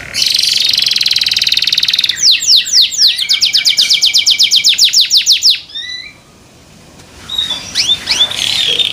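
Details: Caged canary whose song is said to make other canaries join in: a buzzy roll, rhythmic downward-swept whistles and a fast trill, then a pause and a few scattered chirps and sweeps.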